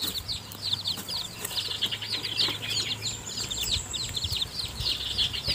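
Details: Newly hatched chicken chicks cheep steadily in a thick high chorus in the nest while their mother hen feeds them, with rustling and scuffling noise underneath.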